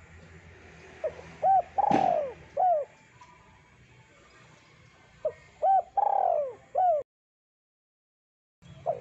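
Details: Spotted dove with a thick voice, song used for luring birds: two phrases of quiet notes, bright arched coos and a long falling coo, with a sharp click early on and a silent gap before the last coo.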